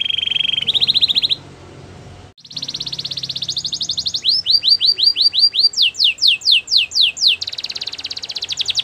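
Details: Belgian canary song for training, with steady buzzing trills, a brief pause, then repeated falling whistled notes speeding into sharp steep downslurs, over faint background hiss.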